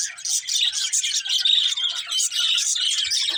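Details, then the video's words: Budgies chirping: a steady stream of busy, overlapping high chirps and warbling chatter with hardly a pause. "Cute Budgies Chirping Sounds"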